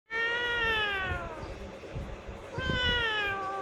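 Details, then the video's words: Parrot imitating a cat: two drawn-out, nasal meows, each sliding gently downward in pitch, with a quieter pause between them and faint background noise. "Parrot Meowing"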